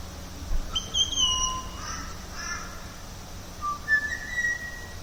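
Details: A Pied Butcherbird gives its haunting whistling song: clear, fluted whistles in short phrases, some sliding down and others rising, over a low steady rumble.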